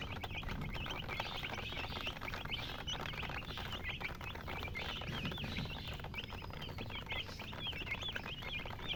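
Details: A flock of baby chicks peeping: bright, high, looping chirps given rapidly and overlapping, steady for the whole stretch, with a soft low rumble and pattering behind.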